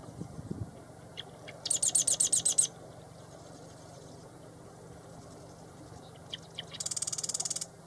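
A marsh wren sings twice: a few dry ticking notes, then a fast, harsh, high rattling trill lasting about a second, over a low steady hum.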